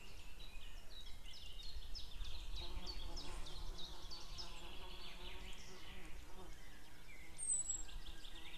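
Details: Female and distant male White-tailed eagle, 2 May 2016 around noon; a dense chattering series of yelping notes early on, fading into softer repeated calls, with heavy low droning noise throughout.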